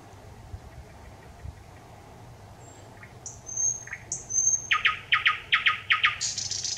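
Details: Singing thrush nightingale, 25 May 2021: quiet opening, then soft high whistles and short low notes build into a loud series of hard repeated chock notes and a closing high rattle.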